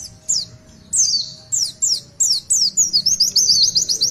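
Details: Oriental white-eye in lively full song in the long 'tulitwitwit' style, kept as a tutor bird: sharp, high whistled notes sweeping steeply downward, then a rapid run of thin rising chirps that closes into a fast, even trill, over a faint low hum.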